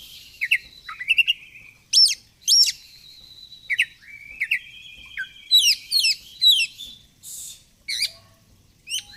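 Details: Oriental magpie-robin, a kept bird in fighter style, singing energetically while flaring its feathers: clear rising and falling whistles, upslurred notes and long level whistled strands, with quick chirps in between.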